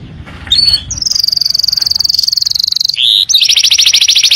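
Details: Canary song played as a tutor recording for training young birds: a short rising note, then a long, very fast, even high trill, a brief lower buzz, and another rapid high rolling trill.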